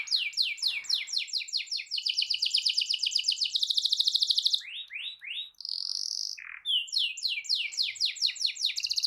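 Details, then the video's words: Canary in a long rolling song meant to provoke others into singing: a fast run of descending sweeps merging into a rapid trill, a few lower swoops and whistles, then more quick repeated sweeping notes. "Kicau Kenari Gacor Efektif PANCING EMOSI Kenari lain Cepat ikut gacor Ngerol panjang"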